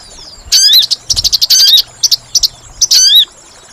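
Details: Sooty-headed bulbul trapping lure: bursts of dense, rapid chattering chirps interleaved with shrill, bending harmonic notes, all packed tightly together.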